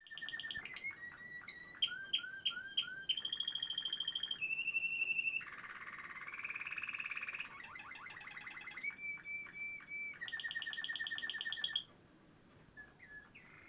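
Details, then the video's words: Waterslager canary, a Quetta bird, singing a varied song of rapid repeated notes: bubbling trills, clear sustained whistles, fast stuttering rolls and a water-like warble, changing phrase every second or two, then falling quiet near the end. "Quetta waterslgar canary singing very nice"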